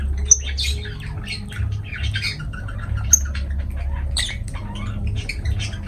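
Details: Lovebirds giving short, sharp, high chirps and squawks scattered across several seconds, some in quick clusters, over a steady low indoor hum.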